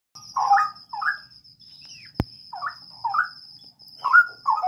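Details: Straw-headed bulbul kept in a breeding aviary gives short, rich, gurgling warbled phrases, each about half a second long, with brief pauses between them. A steady thin high whine runs underneath throughout, and there is one sharp click.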